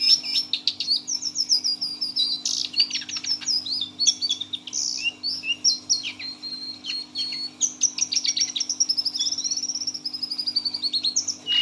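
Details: Caged brown Lesser Shortwing, six months old, in teler song: a rich, rambling medley of high whistled phrases, sharp clicks and down-slurred notes running continuously, accompanied by a faint constant hum.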